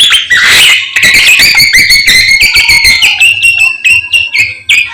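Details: Samyong in full morning song: a dense, lively run of bright whistled notes and rapid trills, many sliding up or down, poured out almost without a break.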